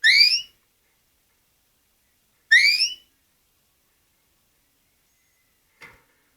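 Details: A male pet canary, just brought home from a pet shop, sings two bright, rising whistled chirps about two and a half seconds apart, followed by a faint click in an otherwise quiet room.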